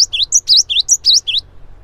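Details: Close, loud cinereous tit song used to provoke other tits to sing. A string of about eight clear, high whistled notes falls into a rapid high-low-high rhythm, then fades out over a low rumble.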